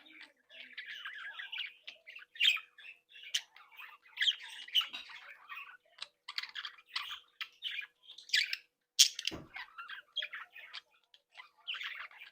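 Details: Happy breeding flock of Australian budgerigars in captivity, keeping up continuous warbling chatter with scratchy squawks and sharp chirps throughout, plus one soft knock.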